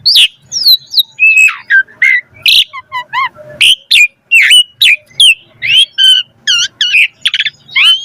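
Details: Varied song of an Asian pied starling, used as a prompt to get other starlings singing: a dense run of whistles, downslurred chirps and short stacked buzzy notes, delivered almost without pause.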